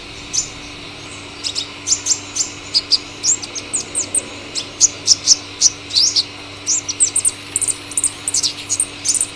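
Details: Cinnyris asiaticus, the Purple sunbird, gives a continuous series of thin, high chips and short twittering notes at an uneven, hurried rhythm, over a faint steady hum.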